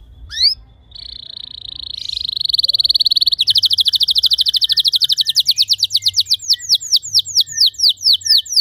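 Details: Canary training song for other canaries: a sustained buzzy trill leads into a long run of rapid sweeping notes that gradually slow into separate looping whistles.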